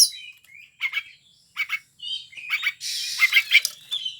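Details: Kacer, or Oriental magpie-robin, singing gacor more softly: short scratchy doubled notes and low whistles, building to a long rough buzzing rattle near the end.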